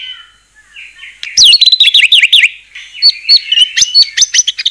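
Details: White-rumped shama singing as a lure to make other shamas sing: soft warbling at first, then loud rapid zigzag whistles and a string of short emphatic chirps.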